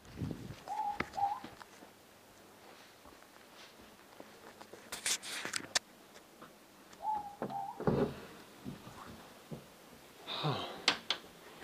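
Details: A morepork (ruru) close by outside gives its mellow two-note 'more-pork' hoot twice, about six seconds apart, amid knocks and clattering nearby.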